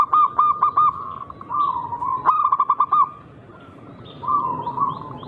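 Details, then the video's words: Local zebra dove with an unusual, rare rhythm, used to goad rival doves into singing: several phrases of quick, stuttering coos at a steady low pitch, separated by softer rolling notes, with faint higher bird calls behind. "Burung Perkutut Lokal berirama Unik Langka gacor"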